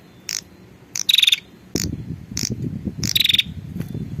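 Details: Lure recording of a female prinia calling a male: two short rattling buzzes with rapid pulses, interspersed with clicks, against a rough low rumbling background.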